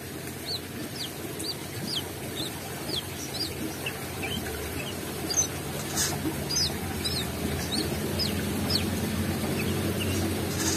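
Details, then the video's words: Energetic brown-throated sunbird song with open beak: crisp, high, slurred chirps repeated roughly twice a second, sometimes paired, with brief scratchy bursts and low background rumble. "KOLIBRI KELAPA GACOR BUKA PARUH"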